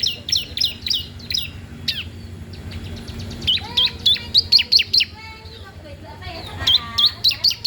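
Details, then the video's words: Bar-winged prinia singing loudly and persistently, a recording meant to tutor or lure untrained prinias: bursts of sharp, high, rapidly repeated chirps and downslurred notes, clustered in quick runs with brief pauses, over faint lower tonal sounds and background hum. "CISEM PAUD GACOR DOORRR, COCOK UNTUK MASTERAN/PANCINGAN CIBLEK BAHAN"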